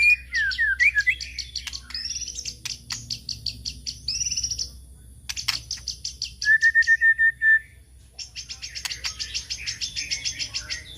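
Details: White-rumped shama (murai batu) song used as a lure (pancingan) for other birds: rapid trains of high ticking notes, a few falling whistles at the start, and a steady level whistle near the middle, with brief pauses between phrases.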